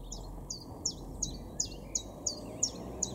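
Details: Common chiffchaff singing in a garden at Weener, East Frisia, northwestern Germany, in April: an unbroken chain of nine or so sharp, high, downward-flicked chips spaced about a third of a second apart, over low background hum.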